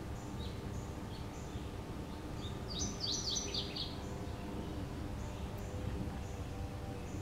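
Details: A male Mourning Warbler sings at Orchard Hill Greenstrip, a migrant trap in Omaha, Douglas County, Nebraska, on 25 May 2015: one brief, rich burst of slurred, descending notes over a low rumble and faint scattered chirps.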